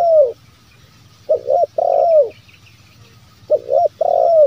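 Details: Spotted dove cooing as a lure for wild doves: a falling coo, then two repeated phrases of a double hoot leading into a long, smooth, downward-sliding coo, with light background hiss.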